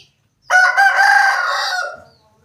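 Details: A single Aseel rooster crow, hoarse and rich in harmonics, held fairly level for roughly one and a half seconds with a slight dip early on, then fading, with near silence around it.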